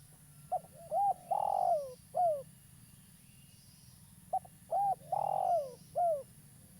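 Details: Local spotted dove, a frequent caller used to lure others into traps, giving two identical coo phrases about three seconds apart: clipped opening note, coo, long quavering descending coo, final falling coo.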